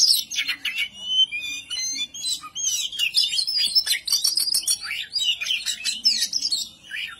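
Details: Kacer in agitated ngobra mode, aimed at rousing rival birds: dense varied warbling of high whistles, quick trills and scratchy chatter, intense and unbroken, with a faint low hum.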